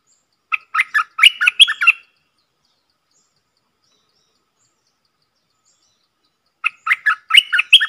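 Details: Decoy streak-eared bulbul calling to attract wild birds, 3 June 2021: two bursts of rapid, liquid chattering notes, each lasting about a second and a half, separated by roughly five seconds of silence.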